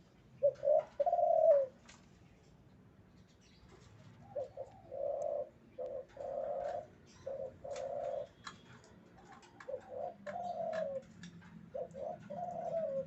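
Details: Male spotted dove in breeding condition cooing: low, soft hooted phrases of a short note or two followed by a longer drawn coo, repeated every couple of seconds with brief gaps, a faint low hum underneath.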